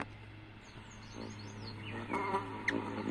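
Ruby-throated Hummingbird: a steady low buzzing hum of wings, much like a bee, with thin, very high squeaky chips and a few short twittering notes.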